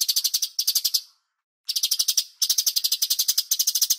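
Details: Bulbul (cucak cungkok) master recording for songbird training: dense, fast, high-pitched chattering bursts of clipped notes, with one pause of about half a second.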